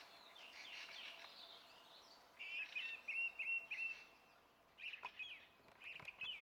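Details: Song thrush recorded 27 April 2016 sings clear, bright phrases of quick repeated notes, each phrase given several times with short pauses between, over a soft outdoor hiss.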